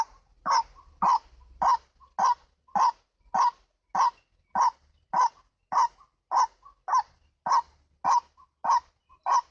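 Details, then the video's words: White-breasted waterhen, called ruak-ruak, used as a lure: a long, very regular series of loud, rasping croaks, almost two per second, with brief soft clucks in between. "MIKAT BURUNG RUAK RUAK"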